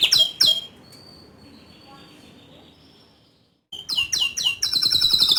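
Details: Canary singing vigorously in the ngerol rolling style with nembak bursts: a few sharp high trilled notes, a long quiet pause, then a fresh run of rapid high chirps and trills.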